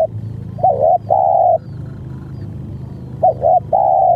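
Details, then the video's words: Spotted dove cooing in two phrases, each a short wavering double note followed by a long, steady, mellow coo, with a pause between, over a low background hum. "mikat tekukur//suara bl nya bagus"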